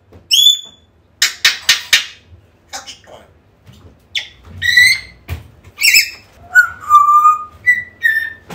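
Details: An African grey parrot calling, gives loud whistles, some rising, some falling, mixed with sharp clicks and harsh squawks, about one call per second.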